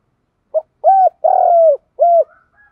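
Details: Spotted dove decoy recording of male and female calls used to lure and provoke wild doves: a short note, then mellow hooting coos, the third long and drawn out, then a final coo, all clean with no background.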